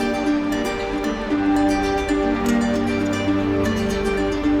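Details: Soft new-age instrumental music with sustained tones plays from start to finish, with no animal voice present.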